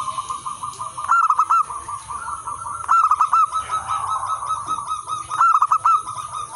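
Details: Zebra doves of local natural stock cooing as a lure and tutor for other doves: three bursts of quick stuttering notes, about two seconds apart, separated by softer sustained overlapping coos and a faint high hiss.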